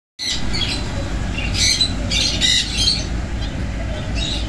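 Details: An adult pair of double-barred (owl) finches, in Thoothukudi, give short, nasal, buzzy high calls in scattered bursts over a steady low rumble of background noise.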